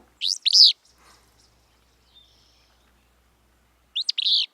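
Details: A Willow Flycatcher, a species breeding in western Washington, gives its sneezy, buzzy two-part fitz-bew song phrase, high and burry, then repeats it about three and a half seconds later over faint background hiss.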